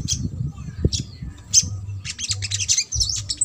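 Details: Little spiderhunter in trotol style, played to stir a silent or lazy bird into singing: short high chirps, then a dense burst of sharp rapid notes near the end, over low background rumble.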